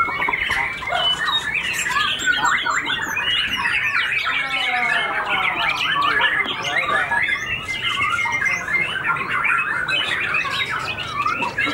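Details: Freshly moulted white-rumped shama, white-tailed and rated a stable fighter, singing hard at a contest it won; long, unbroken torrent of whistles, slurred sweeps and harsh chatter, with a descending run midway.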